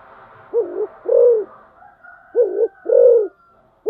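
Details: Decoy spotted dove repeating its methodical call, two pairs of deep coos, short then long, about 1.8 seconds apart, with a faint thin tone in the background.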